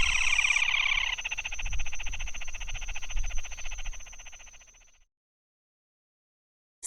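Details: Red-and-white Crake of Brazil: a brief clear note runs into a rapid, even churring trill that fades out over about four seconds, over a low rumble.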